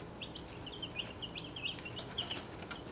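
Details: Dense chorus of thin, high chirps from 1.5-week-old chicks of mixed breeds in a travel box, several birds peeping almost continuously with slight rising and falling notes over a low hum.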